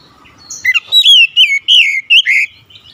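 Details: Oriental magpie-robin singing, used to revive a bird gone quiet: a quick run of six or seven loud, sweet whistled notes, each sliding and bending in pitch, delivered in rapid succession over a quiet background.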